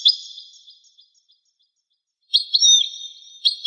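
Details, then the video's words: Goldfinch in a recording dating to 1985: a faint twitter fading away, then after a pause a clearer burst of sharp chirps and a drawn-out high slurred whistle. "تغريد طائر الحسون"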